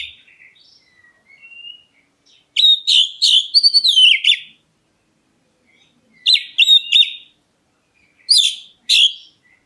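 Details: A black-breasted Oriental magpie-robin calls to get other birds to reply. Quiet whistles lead into three bursts of rapid, harsh, chattering whistled notes, separated by silent pauses.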